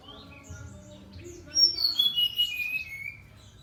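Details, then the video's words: Brown-chested jungle flycatcher singing strongly: a short descending run of bright, whistled notes in the second half, after soft background chatter. "Sikatan rimba dada coklat SRDC gacor"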